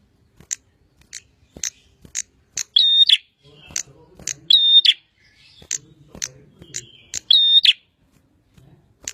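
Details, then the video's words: Bar-winged prinia (prenjak) singing: a string of sharp high clicking ticks leads into three loud, strident harmonic note pairs, with soft low rumbling between phrases. "Burung prenjak gacor"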